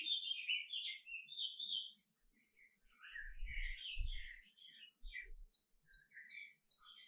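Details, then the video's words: Singing canary delivering rapid chains of bright chirps and rolling trills, some phrases falling then rising, broken by short pauses and a few dull low thuds in the middle. "Canary Singing"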